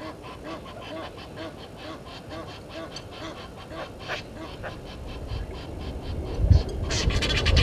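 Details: Waterhole scene in the Sabi Sand Wildtuin, South Africa, 17:08 on 10/04/21: Egyptian geese quarrel with intruder geese. A steady run of nasal, harmonic honks repeats about twice a second, with louder harsh bursts near the end over low rumbling background noise.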